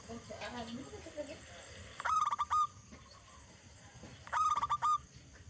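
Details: Local zebra dove calling as a lure to make other doves sing. After soft murmuring sounds come two short bursts of clipped, pulsed cooing notes about two seconds apart, over constant background noise.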